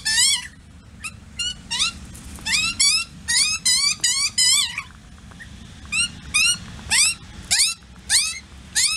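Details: A male Australian magpie from a family that raised chicks in the tree sings bursts of rich, fluting notes swooping up and down, several per second, over a low rumble, just before a thunderstorm; noisy miners interrupt, and the sound roughens in rain.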